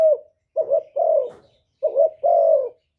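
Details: Spotted dove cooing and calling to provoke rivals; low hollow coos around 500–700 in short phrases, a brief note followed by longer drawn-out coos, two phrases with a pause between, no other sounds.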